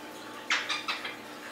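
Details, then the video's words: A female Pileated Woodpecker gives four quick, harsh notes, each a little softer than the last, over a faint steady background hum. "Pileated woodpecker female"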